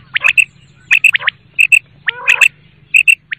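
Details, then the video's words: A quail gives short, liquid three-note phrases, sharp and high, repeated roughly every three-quarters of a second over a faint low hum. "صوت سمان((الفر)) Quail sound"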